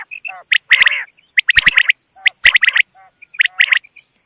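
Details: Quail chirps and harsh buzzy rattles in uneven bursts, with soft low whistled notes between them.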